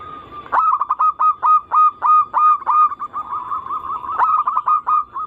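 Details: Zebra dove song, local and Bangkok crossing types, used to draw other doves into song: loud staccato coos, each note starting with a sharp attack, in fast regular runs with a rolling trill between them.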